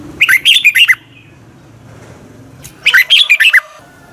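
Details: Morning song of a red-whiskered bulbul, meant for training other birds: two quick phrases of five or six bright, slurred whistled notes, rising and falling, with a soft background hum between them.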